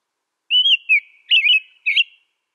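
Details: American robin sings four loud clear whistled phrases in quick succession, the third warbled and buzzy, against a silent background.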